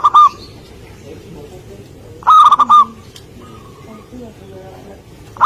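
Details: Local zebra dove (perkutut), a bird singing actively, in a setting of bird trapping; loud, strained cooing notes in brief bursts with quieter cooing between them and background hiss.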